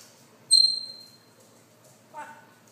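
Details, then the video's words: Congo African grey parrot, one and a half years old, gives a clear high whistle held for about half a second, followed later by a brief speech-like sound; otherwise a quiet room. "Congo African Grey talking at 1 1/2 yrs old"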